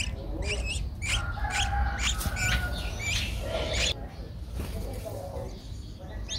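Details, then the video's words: Streak-eared bulbul nestling, 11 days old, Ubon Ratchathani, Thailand, 13 April 2023: a burst of high, thin chirps early on that fades into quieter scattered notes, over steady low noise. "นกปรอดสวน อายุ 11 วัน : Streak-eared Bulbul"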